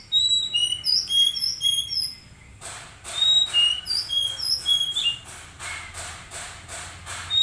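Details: Caged Oriental magpie-robin whistling bright, high, short notes, joined midway by a steady run of regular sharp clicks or taps repeating roughly three times a second.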